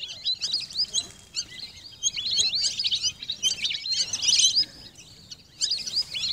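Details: Many high twittering whistles from lesser whistling ducks come in loud surges separated by softer stretches, the chirps crowding together in busy clusters.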